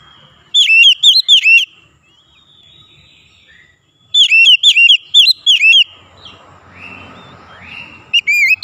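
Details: Kacer, the white-rumped shama, singing in bursts of quick, sharp whistled notes with repeated upward flicks, two main phrases separated by a pause filled with faint rustling and low background noise.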